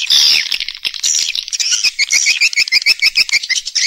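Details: Swiftlets calling: a burst of harsh overlapping twitter, then a fast, regular series of sharp high chirps, roughly three per second, over a steady background of many birds.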